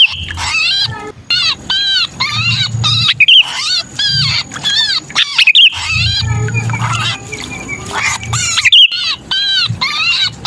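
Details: Sooty-headed bulbul in distress after being caught, a sound used to lure hard-to-attract bulbuls; long, agitated runs of harsh arched squawks with scattered piercing whistles, nearly continuous, over low droning noise.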